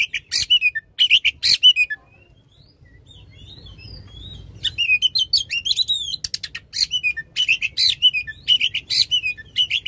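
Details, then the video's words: Oriental magpie-robin in loud 'tembakan panjang' (long-burst) song, used to prompt a silent magpie-robin to sing: sharp, high repeated notes in quick bursts, a short pause with soft whistled warbles, then dense rapid chattering phrases again. "Kacer Gacor.suara lantang tembakan panjang"pas buat pancingan kacer yang lagi macet."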